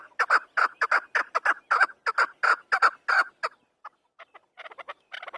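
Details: Chukar partridge (Afghan chakor) delivering a loud burst of harsh, repeated chuck notes for about three seconds, then a pause before softer, scattered notes resume.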